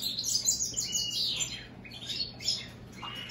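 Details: American goldfinch crossed with European greenfinch giving high twittering song phrases, a rushing trill followed by shorter chirped notes, over a faint low hum.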